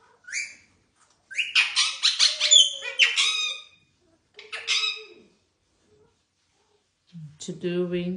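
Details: A pet blue rose-ringed parakeet gives bursts of harsh, high, scratchy squawks and chatter, then a short lower, voice-like phrase near the end; it keeps saying "what you doing".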